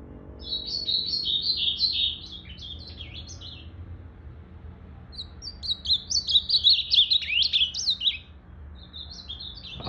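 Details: Blue-black grosbeak, 8 September 2020, tail still regrowing: a fluttering run of high song, a pause, then an intense burst of rapid pulsed notes with steep slurs, and a brief final snippet.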